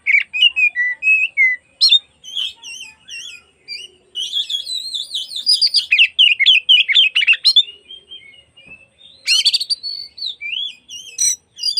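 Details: Long afternoon lure song of an oriental magpie-robin, used to provoke other magpie-robins into tail-spreading: continuous varied whistling with wavering looped notes, rapid trills, and occasional harsh buzzy bursts, energetic throughout.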